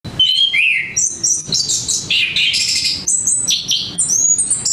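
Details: Orange-headed thrush in melodious song: a rapid, varied run of high whistled phrases, some sliding down, others short and sharp, delivered almost without pause over a faint low background.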